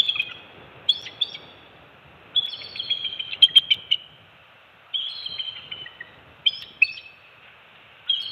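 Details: Bald eagles at a Captiva/Sanibel Island, Florida nest during an early-morning shift change and feeding of two-week-old eaglets in December 2020; thin, high piping phrases of several chirps recur every second or two, with quiet gaps between.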